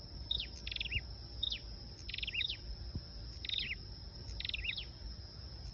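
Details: Flowerpecker song used as a lure: high, thin phrases of rapid clicking ticks ending in a short twittering flourish, repeated about every second, over a steady high electronic whine and low rumbling background noise.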